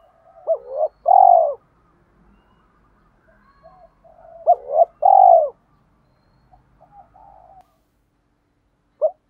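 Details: Spotted dove used as a lure to stir up wild doves: two repeated phrases of quick hoots ending in a loud, long rolling coo, with faint soft cooing notes and one brief coo at the end.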